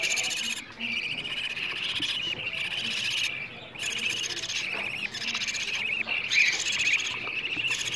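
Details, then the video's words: Begging budgerigar chicks, a sound played to encourage adult budgies to mate and rear more chicks: long raspy buzzing bursts separated by short silences, several chicks calling together. "وفي الأخير، أحببت أن أسمع صوت الطيور وهي تطلب الأكل، وهو تحفيز لطيوركم على التزاوج أو زيادة الفراخ بإذن الله."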